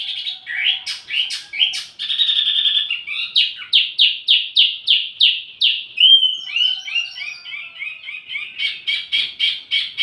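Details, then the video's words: Wambi mini used as lure and master audio for tledekan: a rich song mixing sharp clicks, long high whistles, a run of evenly spaced downslurred notes and a fast closing trill. "wambi mini burung pancingan sekaligus masteran buat tledekan anda"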